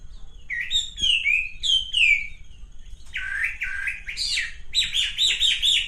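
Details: Male pink-necked green pigeon: descending slurred whistles at first, then lower, wavering notes, ending in a rapid chattering run of high, buzzy whistled notes. A faint hum lies underneath.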